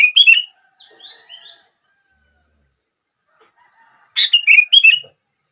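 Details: Sooty-headed bulbul phrase of bubbly falling notes, a soft faint call, then a long quiet gap before another lively four-note phrase; played to make other bulbuls sing.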